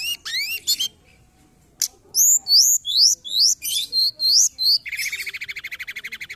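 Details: Mountain forktail (tledekan gunung) used as a lure for trapping: shrill, high downslurred whistles in quick bursts, then a loud series of sharp descending notes, ending in a fast, even buzzy trill.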